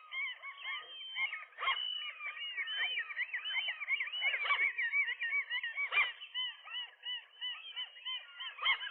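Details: Morning scuffle at a rooftop gull nest as a breeding couple fights off a lone intruder; continuous overlapping squealing and yelping calls from several gulls, harsh and wavering, with sharp louder bursts throughout.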